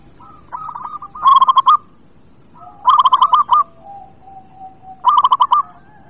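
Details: Lively local zebra dove used to prompt lazy birds to sing, delivering three bright bursts of rapid, stuttering coos about two seconds apart, with softer dove calls in the gaps.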